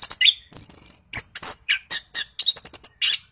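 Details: An orange-headed thrush sings in the rolling ngeroll style used to stir quiet birds into song. Dense, sharp high chatter alternates with a long thin whistle and brief lower slurs.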